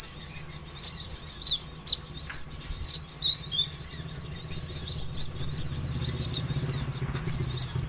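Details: Sunbird called konin ijoan, singing hard as a lure to encourage other birds to sing. A steady run of sharp high chirps and twittering notes, growing denser toward the end, over a low background hum.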